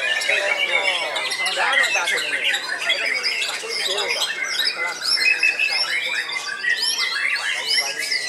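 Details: Old caged white-rumped shama, still actively singing from its hanging cage; a dense, unbroken stream of varied whistled notes and quick rising and falling sweeps, mixed with harsh chattering squawks, continuous for the whole stretch.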